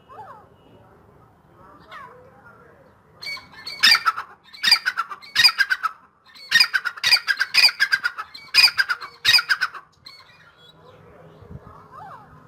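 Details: Calling in full mood, a grey francolin (dakhni teetar) delivers a series of six or seven loud, grating, pulsed phrases in quick succession, framed by softer faint chirps before and after.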